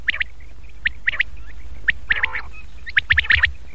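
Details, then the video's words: Lure call for Chinga and fighting quails, used to attract birds for catching, also at night: scattered short, sharp notes, singles and quick pairs, ending in a tight cluster of clipped calls. "چنگا بٹیر اور پکے بٹیر کو بلانے والی اواز"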